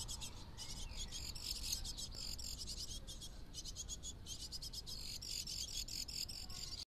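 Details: A female great tit shows juvenile-like food-begging behaviour on a trail camera, giving rapid, high, buzzy notes in quick bursts with a short pause midway, over a low rumble of background noise.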